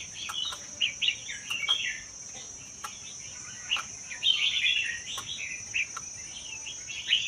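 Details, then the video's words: Wild-caught red-whiskered bulbul from the Vietnam–Laos forests, caged for one year, singing in a style described as about 80 percent doubled. Short warbled phrases sound faintly over hiss, with a steady high whine throughout. "นกกรงหัวจุกป่าเวียดลาว ชำใว้1ปี เบิ้ล80% เปิดกระตุ้นนกฟังนกร้อง"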